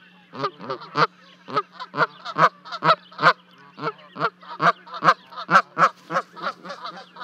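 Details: Recorded by a livecam at a 30-foot nest in Charlo, Montana, on 12 May 2020, two Canada goose goslings leap off to join both parents. A parent gives a long run of loud, coarse honks, about two per second, over a low steady hum.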